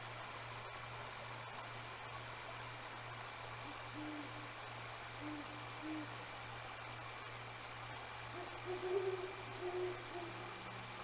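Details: Two Great Horned Owls exchanging calls at night near an eagle nest, unseen: distant deep hoots, a few soft notes midway then a longer, slightly higher series toward the end, under constant hiss and low hum.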